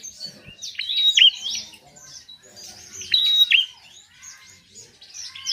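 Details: Chattering song of a bar-winged prinia, meant to draw silent birds into singing: high, clipped note clusters in short bursts about every two seconds, with quieter twittering between.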